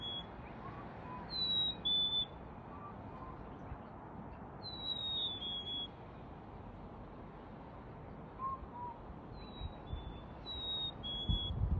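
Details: Black-capped chickadee in a back yard in NW Calgary, Alberta, at 6pm on 28 February 2021, giving high, clear whistled notes that step downward, repeated several times, with softer lower chirps and a steady background rumble.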